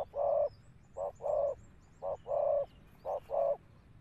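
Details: Malaysian spotted dove cooing outdoors: three paired phrases, each a brief clipped coo followed by a longer, fuller mellow coo, evenly spaced about a second apart, with faint high chirps behind.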